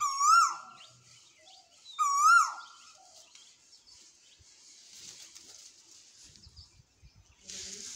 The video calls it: Sound of koel